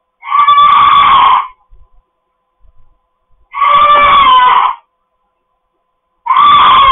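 A cockatoo gives loud, harsh, raspy screeches, each over a second long, repeated about every three seconds, with brief quiet scuffles between them.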